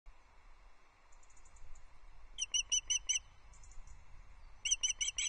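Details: Female osprey on the nest at Loch Arkaig, 14 July 2024, filmed by nest camera around dawn, calling for fish with her mate beside her: two bursts of sharp, high whistled chips, evenly spaced. Faint high twittering from another bird earlier. Light low background rumble.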